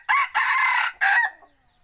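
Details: Decoy rooster crowing, selected for use when hunting in the forest: a loud, hoarse crow in three bursts, a short opening note then a long strained middle syllable and a clipped final note, over a quiet background.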